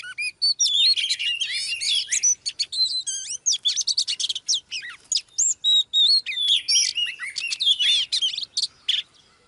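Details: Captive Oriental magpie-robins, female drawing the male into heated song: nearly continuous, loud, complex whistles and rapid chirping trills, notes rising and falling, barely pausing for nearly ten seconds.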